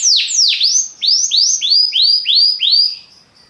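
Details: Belgian canary singing a phrase of loud, high, descending whistled sweeps, first two long swoops then a run of six shorter repeated slurred notes at about three per second, with a clean quiet background.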